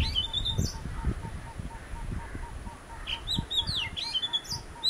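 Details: A visiting Oriental magpie-robin, one of a pair, sings bright whistled and warbled notes in short runs, while a soft hollow note repeats steadily behind and low thumping noise sounds throughout.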